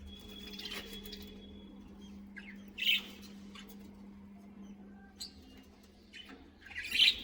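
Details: Budgerigars in a caged colony, a few sharp, scratchy chirps spaced several seconds apart over a steady low hum.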